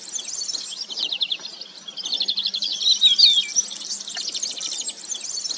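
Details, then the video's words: Crested lark song, with short sliding whistles rising and falling in the middle of the passage, over a busy background of rapid high chirping from many small birds. "Canto e Presença da Cotovia de Poupa (Galerida cristata)"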